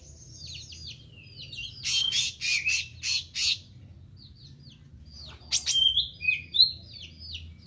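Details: Meranti bird singing actively, high twittering strings of quick descending chirps alternating with loud rasping bursts, the phrases broken by short silent gaps.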